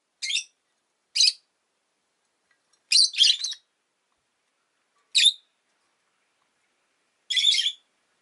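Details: Scratchy high chirps of a rosy-faced lovebird, single notes and one doubled burst, spaced roughly every one to two seconds against a quiet background.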